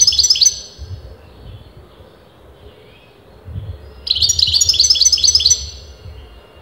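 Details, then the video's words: European goldfinch of disputed sex singing without pause: a quick high jingling phrase, near-silence for over three seconds with faint low rumbling, then a second rapid, liquid twittering run. "غناء متواصل لمقنين"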